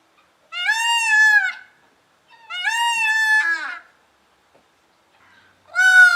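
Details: Indian blue peacock yelling: loud nasal wailing screams with a rich harmonic stack, each about a second long, separated by short silences, the last one cut off at the end.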